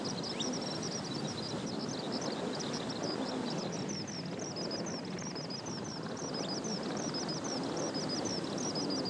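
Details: Single Kentish plover chick giving thin, high peeps, about three a second and steady throughout, over a heavy rush of wind or distant traffic; Kasai Rinkai Park west beach, Tokyo, 16 July 2014.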